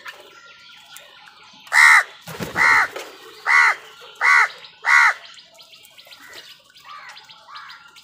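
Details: Crows contesting food with wild birds: five loud, grating caws in quick succession after a brief rustle, then fainter caws and light bird chatter in the distance.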